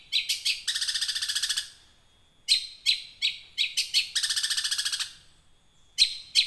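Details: Young wild long-tailed shrike singing as a lure to prompt caged birds: short harsh chirps alternating with long rapid rattling trills of buzzy notes, each trill about a second, separated by brief pauses.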